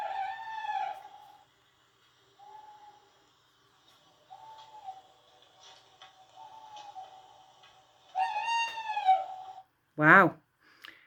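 Tawny Owl: mellow, hollow hoots repeated about once a second, ending in a long quavering hoot and one sharp ke-wick, played indoors.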